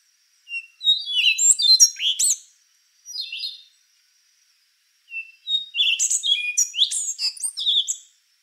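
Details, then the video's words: Rufous-brown solitaire (Cichlopsis leucogenys) song: two long phrases of high, thin whistles and rapid twittering notes sliding up and down, separated by a short pause with a brief whistled fragment. "Canto do Sabiá Castanho | Rufous-brown Solitaire | Cichlopsis Leucogenys"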